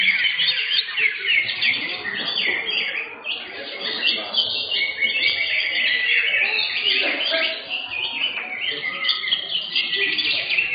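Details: Green leafbird in a singing contest class, taking third place in session 15: dense, varied chattering and warbled phrases in a crowded contest arena, with other birds and human voices mixed in.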